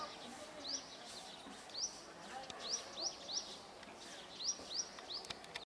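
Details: Flock of black-headed starlings giving quick, high, upward-sweeping chirps in loose runs, roughly three per second, with soft background chatter.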